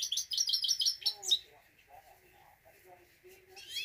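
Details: Himalayan goldfinch singing: a fast run of bright, high chirping notes for just over a second, then a quieter stretch with faint lower warbled notes and a brief high trill at the end.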